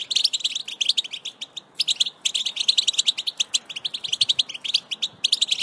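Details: European goldfinch singing batbata-style twitter meant to make a pet goldfinch sing strongly; a dense, continuous run of quick bright chirps and buzzy trills with brief gaps, high-pitched throughout.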